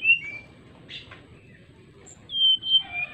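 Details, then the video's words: Greater racket-tailed drongo calling an opponent: a short falling whistle, a rough chip, a quiet pause, then a loud pair of clear, level whistles followed by a lower note. "SRDC GACOR MANGGIL LAWAN ..NYULING KEREN"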